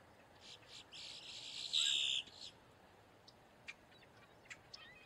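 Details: Boat-tailed grackle giving a distress or alarm call: a few short rough notes, then one loud, sustained harsh rasp, followed by scattered faint clicks.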